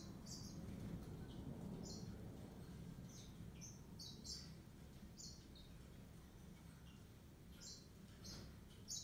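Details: Yellow-fronted canary (Serinus mozambicus) singing: short, bright, high chirps and brief trills come in irregular bursts of roughly four per second, set over a steady low rumbling background noise.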